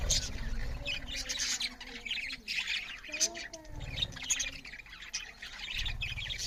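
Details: Loud chirping from budgerigars feeding; scratchy high chatter runs throughout, with a few short squawks, a brief rising whistle near the middle and intermittent low thuds.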